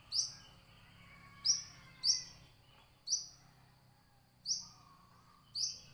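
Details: Brown-throated sunbird giving six piercing high chirps at uneven intervals, each a short bright note that falls slightly. Softer bird twitters sit lower in the background, along with a low hum.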